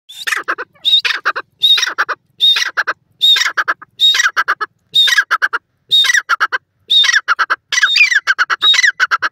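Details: Grey francolin in Pakistan, described as calling its partner: loud, harsh, rhythmic call phrases with a whistled note near the start of each, repeated roughly every three-quarters of a second.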